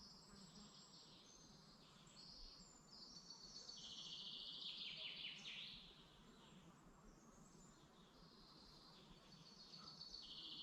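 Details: Morning birdsong in a Dublin Mountains forest in Ireland: scattered high whistles and bright, buzzy-edged phrases that swell in the middle, over a continuous wash of ambient noise.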